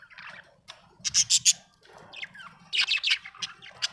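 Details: Happy budgerigar chattering in quick bright bursts, shrill chirps and short squeaky warbles clustered in two lively runs with brief pauses between them.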